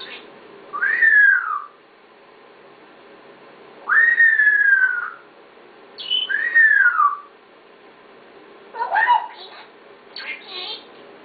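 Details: A talking pet parrot gives three clear whistled phrases, each sliding up and then down, about two seconds apart, followed by a short, rough, speech-like burst in a quiet room.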